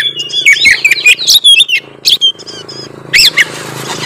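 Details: Kacer tretes, an oriental magpie-robin, giving a bait song meant to rile rival birds. Quick slurred whistles and squeaky notes come in a dense run, then fade into scattered calls against a noisy, hissing background.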